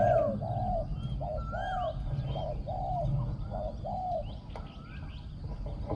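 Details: Decoy spotted dove, known for a small, echoing voice and fine coo phrasing. A steady series of short, hoarse coos with soft background whistles from other birds and a constant low hum.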